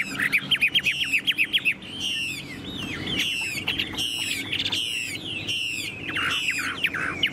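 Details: Chinese hwamei, a tame cage bird, opens with a fast series of sharp repeated notes, then moves into rolling whistled phrases broken by brief gaps, some harsh squawky accents mixed in.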